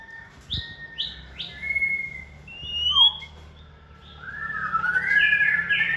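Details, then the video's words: Caged White-rumped shama in its second season, hand-raised from a nestling and described as multi-voiced, bold and contest-ready, sings a varied run of short clear whistles, separate rising and falling notes, then a louder sweeping whistled phrase near the end. "chòe lửa dáng sẻ, hót cực bền nết chuẩn đấu giàn"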